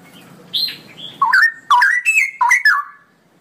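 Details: Straw-headed bulbul in ropelan song: a high thin note, then a burst of loud fluty, gurgling phrases, rolling and swooping in several close bursts.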